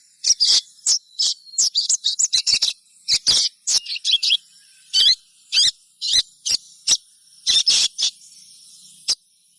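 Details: Sogon rapid chattering song, used to prompt other sogons to sing: bursts of sharp high chirps and trills, some quick runs and some single notes, with a steady faint high whine behind.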